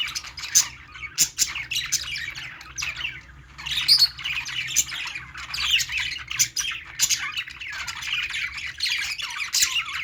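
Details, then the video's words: Playing budgies keep up a nearly continuous rasping, warbling chatter of high chirps and harsh squawks, broken by occasional sharp clicks. "budgies playing sounds"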